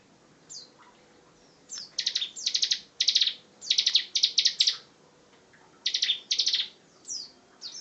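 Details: Energetic 'gacor ngebren' song of a Bar-winged prinia: paired bursts of buzzy high pulses and thin descending whistles, delivered in uneven groups with short pauses.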